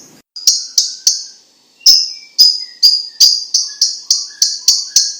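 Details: Chinese leafbird song for training other birds: a series of sharp high chipping notes, about a dozen, repeated roughly every third of a second with a brief pause early on, over faint lower whistles.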